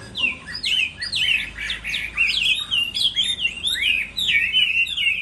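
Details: Chinese hwamei in moulting season, singing in contest style: a loud, rapid run of varied whistled phrases, mostly sweeping slurs and rising-falling notes, delivered in bursts with brief pauses between them.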